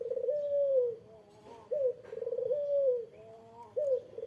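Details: Eurasian collared dove calling to provoke a rival into answering: low, rolling coos, each opening with a quick vibrating burst that slides into a long, steady, slightly falling note, repeated about every two seconds.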